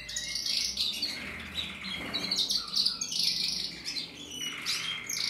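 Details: A Portuguese Harlequin canary from a breeding aviary, recorded in 2024, sings a continuous, high, rapid warble of twittering trills and rolling phrases that swell and fade every second or two.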